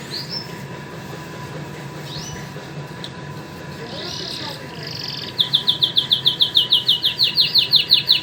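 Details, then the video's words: Canary song from a pair of pet canaries, one white and one crested: a few faint whistled notes over a steady low hum, then a fast run of bright, evenly repeated trill notes building through the final three seconds. "White canary and crusted canary are signing very nice"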